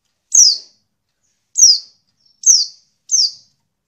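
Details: Female oriental white-eye giving four thin, high, downslurred 'tsew' notes about a second apart against a clean, quiet background, a call used to provoke males into singing.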